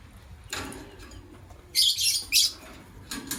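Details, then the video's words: A pair of white lovebirds in the morning gives shrill, harsh high chirps, a short scratchy burst followed by two loud grating notes close together, over a quiet background hum. "White LoveBird Chirping Sounds"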